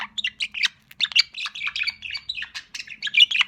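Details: Young pet budgerigar, called sociable, chattering almost without pause in fast, warbling, squeaky chirps that rise and fall, with a faint steady hum underneath.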